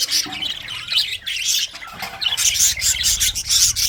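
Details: English budgies, pet parrots, singing a scratchy, buzzy warble of rapid high chirps, growing sharper and brighter in the second half.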